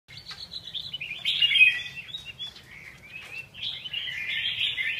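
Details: Red-whiskered bulbul singing a run of short warbled, slurred phrases that rise and fall in a mid-high register, louder and richer midway, with a quiet low hum underneath.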